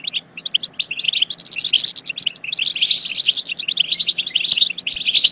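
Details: European goldfinch song played to stimulate goldfinches to sing and mate: dense, fast twittering of bright chirps and short trills, with a brief lull near two and a half seconds.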